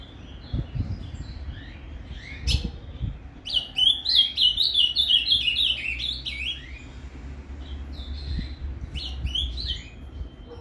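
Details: Azulão (ultramarine grosbeak) in captivity singing the Paraná fibra style to stimulate another bird: a few low thumps and stray notes, then a rapid three-second cascade of warbled whistles, with further phrases near the end.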